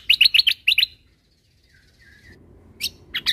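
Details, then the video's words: Cucak kombo recorded for teaching caged birds, late 2022: a rapid cluster of bright, twittering chirps, then near silence with a faint thin whistle, and two sharp high notes at the end. "Masteran Burung Full Isian Tembakan - Cucak Kombo Gacor Untuk Masteran Burung"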